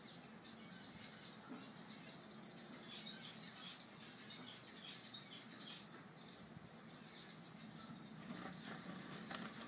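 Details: A male star finch calling for his mate gives four thin, high, falling notes spaced a few seconds apart, with a soft rustling hiss near the end.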